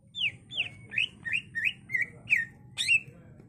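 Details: Captive greater green leafbird singing to excite and train other birds: a series of about eight loud slurred whistles, each bending down then up, spaced roughly every half second.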